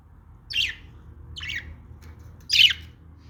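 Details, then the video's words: Three short, separate raspy squawks from a budgerigar, about a second apart, in a quiet room. "budgies sounds | parakeet chirping sounds | budgie calling sounds"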